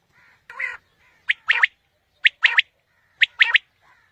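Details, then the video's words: Quail calling, recorded to lure birds for morning hunting: a low buzzy note, then crisp three-part phrases, each a clipped lead note and a rapid pair, repeating about once per second. "Batair ki new Awazay| Quail Calling 2020 | Batair Ki Awaz suba ki shikar Ki liye|Saaf Batair Ki Awaz"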